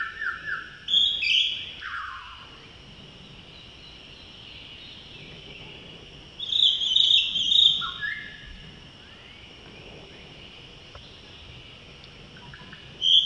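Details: Male blue-throated blue flycatcher recorded in May 2018 at Tashiding, Sikkim, India, giving bright, high whistled phrases in three bursts separated by long pauses, over faint background hiss.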